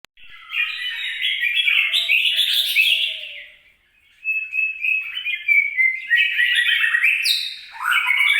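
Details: Red-whiskered bulbul, recorded 26 April 2022, singing bright warbled phrases of short chirpy notes around mid pitch, one burst of about three seconds, a brief pause, then another lively run with a sharp high note near the end.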